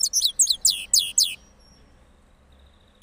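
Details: Cross goldfinch from Parachinar after moulting: five quick, high, scratchy twittered notes in just over a second, followed by near silence.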